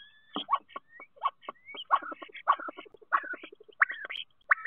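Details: Common starling song at a nest box in Théding, France, March 2023, a rapid jumble of clicks, gurgles, rattles and short whistled slurs, with sliding whistles near the end, recorded close and clean.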